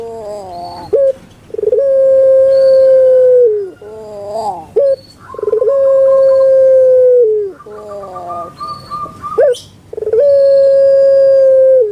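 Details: Pet Barbary dove, known in Java as puter pelung, sings a repeated phrase of quick rising notes and a long, even coo. Three such drawn-out coos can be heard in turn.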